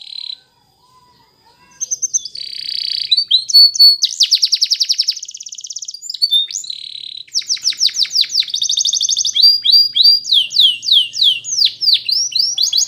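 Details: Canary training song: after a brief pause comes a buzzy phrase, a rapid metallic trill, then long runs of quick sweeping syllables repeated several times a second, all clear and close.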